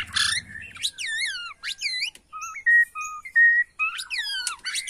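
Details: Bornean white-rumped shama responding to a lure recording: clear whistled sweeps falling in pitch, level pure notes at alternating pitches and short rasping bursts.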